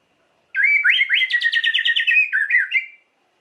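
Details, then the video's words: Lively White-rumped shama phrase, used to provoke emotion and singing in other shamas: a single fast, rolling warble of rapid, rhythmic notes lasting about two and a half seconds. "Lengkingan KICAU MURAI yang satu ini wajib disimak untuk pancingan emosi Murai Batu"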